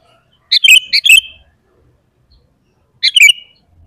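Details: Sooty-headed bulbul singing as a lure to set off other bulbuls: two quick bubbly chirp phrases close together, silence, then a third similar phrase.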